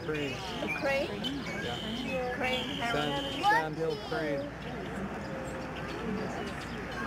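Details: A large wintering flock of lesser snow geese in flight at a migratory bird sanctuary in the Fraser River estuary, British Columbia, late March; many wavering honks overlap in a steady chorus while visitors chat.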